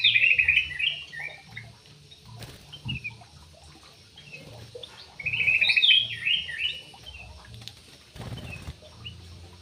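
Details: A Javan pied starling, noted for dancing, gives two long chattering phrases of harsh buzzes and rising whistles, with a quiet stretch between them. Soft knocks and a low hum sit in the background.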